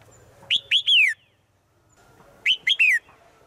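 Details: Female bird calling to a male in the forest, kept by a keeper of caged songbirds in Thailand: two bursts of three quick, bright, downward-slurred whistled notes, about two seconds apart, with a faint low hum behind.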